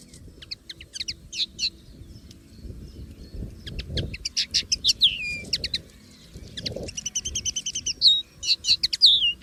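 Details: A common linnet sings free in nature, starting softly with scattered chirps, building into rapid twittering phrases and ending with a nasal buzzy double-banded note and slurred whistles; faint low rumble behind.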